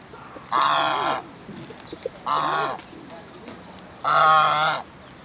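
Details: A lone Chinese goose in Shinbashira Park honks three times, loud harsh nasal calls each lasting about half a second, spaced roughly every two seconds, with quiet background between.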